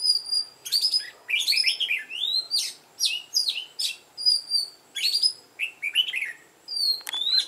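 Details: Lure bird red-whiskered bulbul of mountain-forest voice singing to draw out fighting song; lively repeated whistled phrases with looping upslurs and downslurs, roughly one phrase a second, ending on a sharp high note.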